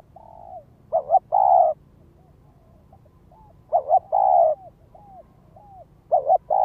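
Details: Spotted dove calling as a ground lure to excite wild doves: loud phrases repeat about every three seconds, each a quick double coo then a long mellow coo, with soft downslurred coos in between.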